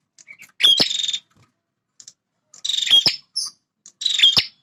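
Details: Male bar-winged prinia, a bird that defends its territory, giving three buzzy, scratchy high trills. Each is marked by a short whistle and a loud click, with brief gaps of silence and soft chips between them.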